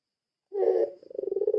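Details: Puter pelung spotted dove lure call: a short, low coo followed by a softer, throbbing, purring roll.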